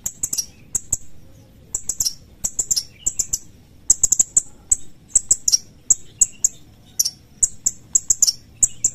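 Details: Sooty-headed bulbul repeating its sharp 'cret cret' call: high, clipped chips in rapid doubles and triplets with short gaps, sustained for nine seconds.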